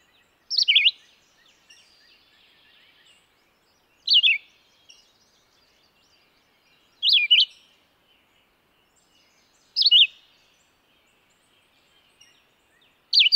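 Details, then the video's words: Red-eyed vireo song made of brief, choppy, whistled phrases that jump up and down in pitch. Five phrases, each roughly three seconds apart, sound against near silence. "Singing Red-eyed vireo"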